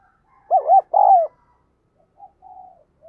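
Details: Insistent cooing from a spotted dove kept as a decoy to attract wild doves. A loud phrase of two hollow coos plus a longer, falling note comes first. Faint, distant answering coos follow.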